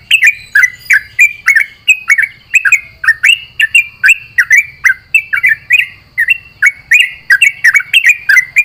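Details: Sooty-headed bulbul (trucuk) singing at dawn in the morning dew, answering companion birds: a rapid, unbroken chatter of sweet, slurred chirps, rising and falling in pitch, with a faint low background hum.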